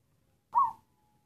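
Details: Zebra dove of the local black variety, giving a halting, cough-like call: a single short hoarse coo, slightly falling in pitch and lasting about a third of a second, against an otherwise quiet background.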